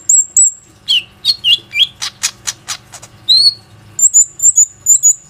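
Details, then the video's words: ['Lure song of a Plain-throated sunbird used to make other sunbirds sing, captured on a phone: high piping notes, dipping whistles, loud harsh chattered notes, then a quick series of thin high whistles.'] "PANCINGAN KONIN GACOR INI PANDAI MEMANCING KOLIBRI NINJA LAIN AGAR IKUT RAJIN BUNYI"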